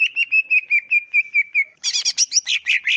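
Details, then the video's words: {'caption': 'Greater green leafbird on a tutor recording for caged birds: a steady row of repeated clear whistles, switching abruptly into dense, harsh, chattering phrases.'} "MASTERAN SUARA CUCAK IJO ASLI JERNIH CUCAK IJO KAMU LANGSUNG NYAUT DAN NGETROK GACOR"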